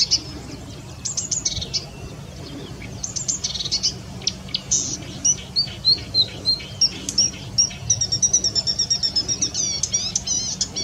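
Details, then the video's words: Lively marsh warbler song with imitated phrases: varied chirps and buzzes at first, then a long series of rapid repeated high whistled notes and trilled ticks, very regular toward the end. "VARIASI KICAU MARSH WARBLER"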